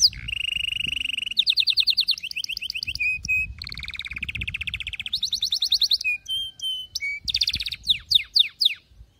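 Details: Canary singing as a tutor song for teaching young canaries: loud, fast-changing song of rapid rolling trills at shifting pitches, some buzzy and some whistled, with short sharp notes, ending in a run of separate descending chirps.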